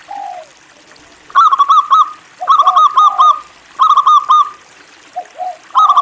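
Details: Zebra dove of local stock in lively song: a falling coo, then three phrases of rapid bouncy clipped notes, each ending in softer descending coos, evenly spaced about one second apart.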